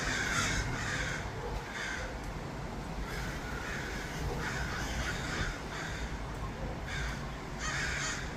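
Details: Several crows in Los Angeles trade hoarse, clipped caws in irregular bursts, some close and loud, others fainter, over steady background noise.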